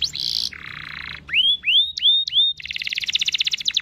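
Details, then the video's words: Canary giving a long lure song to get other canaries singing: buzzy harsh notes, then rising whistled sweeps repeated about every quarter second, ending in a rapid buzzy rolling trill. "Pancingan cuit cuit kenari Gacor panjang ini ampuh buat memancing kenari lain pasti ikut bunyi"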